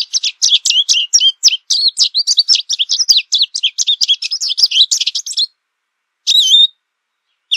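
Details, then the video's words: Loud, fast, varied song of an American goldfinch: over five seconds of tumbling, twittering high notes with sweeps and trills, then silence broken by one drawn-out, wavering call and a final note. "American Goldfinch Song! American Goldfinch Call! - Jilguero Americano canto"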